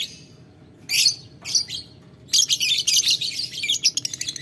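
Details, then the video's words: Lovebird calling a rival with ngetik ngekek, ticking then long chatter, and getting an answer. A few isolated high chirps lead into an unbroken shrill chattering run that ends in quick ticks. "Lovebird Memanggil Lawan Ngetik Ngekek - Tidak Lama Labet Auto Nyaut Ngetik Ngekek Panjang"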